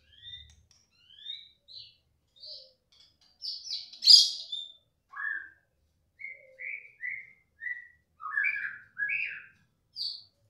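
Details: Young white-rumped shama, agitated and excited on hearing another shama's voice, gives short scattered whistled and chirped phrases at varied pitches with pauses between them; quiet background.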